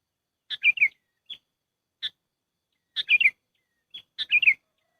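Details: Sooty-headed bulbul calling as a trapping lure: short chattering phrases of tumbling chirps, sometimes preceded by a lone high peep, repeated at irregular intervals over a quiet background.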